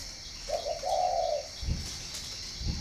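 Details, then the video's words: Spotted dove at a Ba Vi breeding farm in northern Vietnam gives two short soft notes and then a longer, rolling coo. A couple of low bumps follow in a quiet background. "chim cu gáy hay miền bắc"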